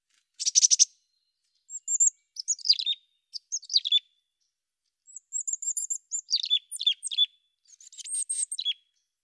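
A mountain chickadee opens with a short buzzy burst, then gives high, thin chirps that slide downward in quick clusters every second or so, against a quiet background.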